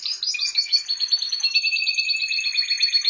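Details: Canary at home singing a dense, rapid high trill with pulsing repeated notes held over a steady band.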